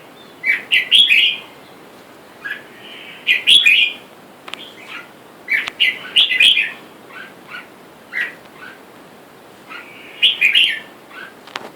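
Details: Red-whiskered bulbul calls from a caged pair, male and female, caught wild, while wild bulbuls call for a mate outside. Lively, bubbly chirped phrases come in short bursts roughly every one to two seconds throughout, bright and liquid.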